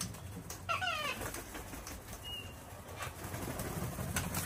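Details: Wild cockatoo in a flock taking over an Australian home deck during winter hand-feeding; a single short, rasping, downward-sliding screech early on, then only faint background noise.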